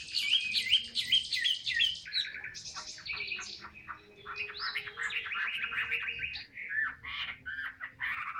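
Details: Caged Chinese hwamei singing ngũ trường cao cầu, opening with quick repeated upslurred notes, then varied chattering phrases, buzzy bursts and wavering whistles at a moderate volume over low background noise.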